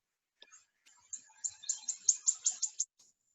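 A Wood Warbler's high, metallic song: a few thin ticking notes that speed up into a shivering, sibilant trill, like a coin spinning to a stop.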